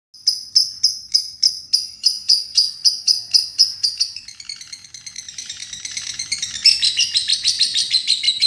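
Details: Lovebird kekek song used as a master recording for training young birds: sharp, high chirps repeated about three times a second, turning into dense, fast chattering.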